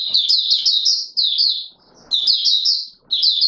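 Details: Courting caged Oriental white-eye pouring out loud, high, rapidly slurred chirping phrases in three bursts, each around a second long, with brief silent gaps and almost no background sound.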